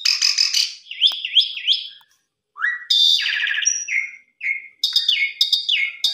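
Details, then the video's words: Asian pied starling song with a varied fill-in, meant to rouse a reluctant or stressed starling: buzzy chatter, then a run of wavering slurred whistles, a gap, and scratchy phrases ending in bright whistled notes. "Jalak Suren Isian Mewah Cocok Buat Mendobrak Jalak Suren Malas Bunyi/Stres"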